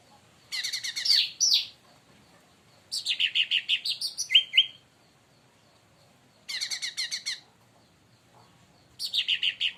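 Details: Leafbird (cucak ranting, cica daun) provoked by another bird into loud, excited singing; four bursts of rapid, buzzy, high chattering notes, each about a second long, separated by pauses of one to two seconds.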